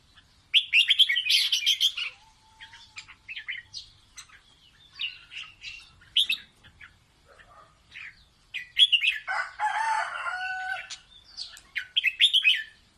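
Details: Red-whiskered bulbul singing playfully to teach its chicks: lively strings of quick chirps and warbled phrases, a brief buzzy harmonic passage in the middle, then more bright whistled notes.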